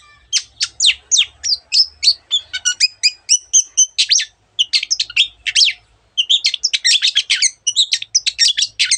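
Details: Long-tailed shrike in lively song mixing many borrowed birdlike phrases: fast high chips, thin whistled notes and dense twittering runs in near-continuous bursts with only brief breaks.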